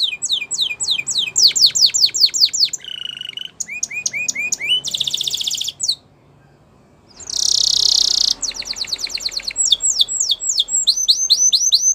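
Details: Long canary song of swept whistles, a low rattle and a bright buzzy burst. A quiet gap follows, then a loud harsh burst and more rapid sweeping notes.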